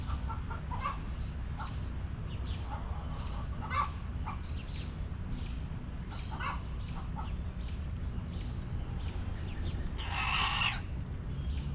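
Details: Backyard hens in their coop give scattered short clucks, fading somewhat toward the middle, then a loud, broad, harsh burst near the end, with low background rumble.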